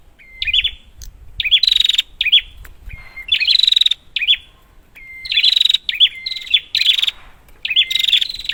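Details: Used as a lure for non-singing prinias: sharp high chattering bursts with curled notes alternate with thin level whistles, repeated through the passage, with a faint low rumble beneath.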